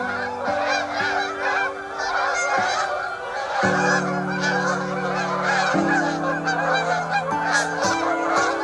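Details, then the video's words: A flock thought probably to be sandhill cranes, not geese as first assumed, calls in a dense, rolling, trumpeting chorus, overlapping without pause, over steady low music chords. "I believe they are probably sandhill cranes, as that is the kind of noise they make"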